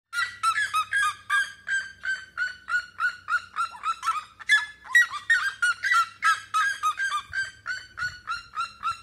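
A red-legged seriema gives a loud run of harsh, yelping notes, about three a second, ringing and slightly falling, with a faint low hum behind.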